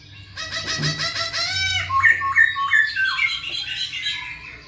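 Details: Energetic masked laughingthrush song, used to get lazy birds singing: a rapid harsh, buzzy chattering run of about a dozen notes, then clear whistled notes stepping up and down, over a low steady hum.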